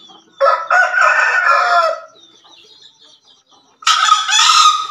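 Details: Vigorous crowing of a male green junglefowl from Java: a long raspy crow of about one and a half seconds, then a second loud crow after a short pause, faint bird twitters in between.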